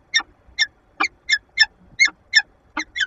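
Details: Peregrine falcon pair interacting in a nest box at a Lublin power plant, Poland, 15 February 2022: steady run of rasping, clipped call notes, about nine in three seconds, fairly evenly spaced.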